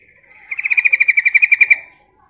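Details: Calling female yellow-vented bulbul used as a lure to attract males: a loud, rapid rattle of roughly twenty clipped, evenly spaced notes lasting just over a second, swelling then stopping abruptly, with a quiet background.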